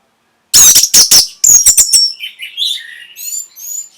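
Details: Orange-headed thrush song aimed at stimulating breeding and a reply: loud grating broadband notes with a high whistled edge, repeated rapidly, then softer mixed whistles and thin high trills fading out.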